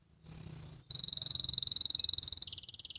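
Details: Young canary learning to sing (ngriwik): a brief high whistle, then a long fast rattling trill that drops to a lower pitch near the end.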